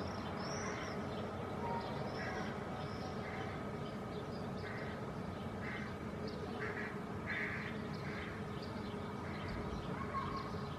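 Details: Hooded crow fledgling perched with a parent in a shady maple at midday during a dry heatwave (about 28°C) begs to be fed with harsh, nasal calls about once a second, over a steady low rumble.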